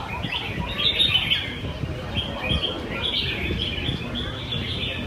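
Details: Competition birds in Quy Nhơn on 21 June 2020: caged red-whiskered bulbuls give lively, warbled phrases with short bright trills, several singers overlapping. Low rumbling crowd sounds continue beneath the song.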